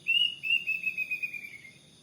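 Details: Plaintive cuckoo heard each morning in front of a house, a clear whistled series of about nine quick notes stepping steadily downward in pitch and fading over under two seconds, with a faint low hum beneath.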